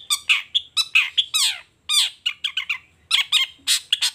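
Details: Long-tailed shrike in the morning, singing actively through its learned repertoire: rapid bursts of bright, slurred and downward-sweeping notes in short clusters, separated by brief pauses.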